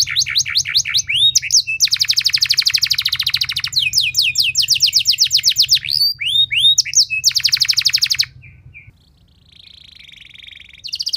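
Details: A canary delivering a loud, long-running lure song meant to stimulate other canaries: alternating buzzy rolling trills and swept whistles, a brief quieter pause with a soft thin tone, then the trill resumes.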